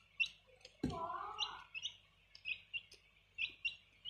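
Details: Two young domestic chicks raised at home: short, high peeps repeated every quarter to half second, with one brief lower, harsher sound near the start.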